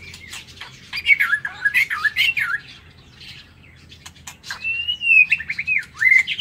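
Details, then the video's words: Aviary-kept white-rumped shama in morning song: a rich warbling phrase that twists up and down, a short gap, then a long level whistle breaking into quick stepped notes, with clicks scattered throughout. "Tiếng Chích Chòe Lửa độc lạ hay"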